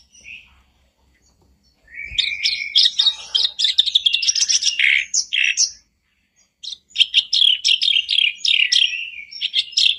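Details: Reed warbler song played to rouse a kept bird that has stopped singing: after a faint opening note, a long run of loud, rasping, chattering phrases and sharp chips comes in quick, uneven bursts, with one short silent gap.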